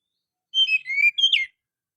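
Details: White-breasted Oriental magpie-robin song, played to prompt a silent bird to sing: one clear whistled phrase of about a second, with sliding, falling notes and a sharp twisting end.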